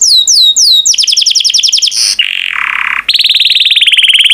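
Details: Yellow canary, a pet songbird, in full song: swooping whistled notes, then a fast series of rising chips, a brief buzzy burst, a low dense rattle, and a rapid ringing trill, all loud and clear.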